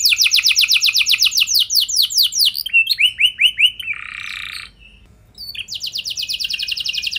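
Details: Lure song of a canary meant to set other canaries singing: rhythmic series of high descending sweeps slowing into looping notes, a harsh buzzy rasp, a short quiet gap, then a fast rolling trill.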